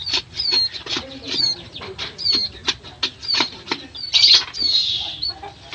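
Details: Bar-winged prinia calling: short high, thin descending notes repeated roughly every half second to second, alongside soft clicks and a brief louder rustle, with low rumbling background noise.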